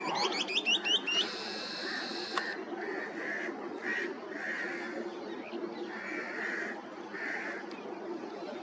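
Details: Yellow-crowned woodpeckers, male and female, at Keoladeo Ghana Bird Sanctuary, Bharatpur, Rajasthan, India, in February 2021: a quick burst of sharp, squeaky chattering, then softer clipped calls about every second, over insect hiss and wind.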